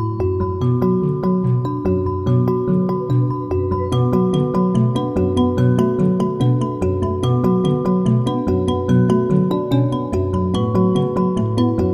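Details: Gentle, looping instrumental background music with bell-like mallet tones and no animal sounds.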